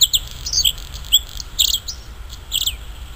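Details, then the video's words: Bluethroat singing in nature: high, varied chirps and short twittered bursts come in quick, uneven clusters, with a few squeaky slurred notes. Low rumbling background noise is constant. "Fortuna azul cantando en la naturaleza غناء طائر البلوثروت في الطبيعة"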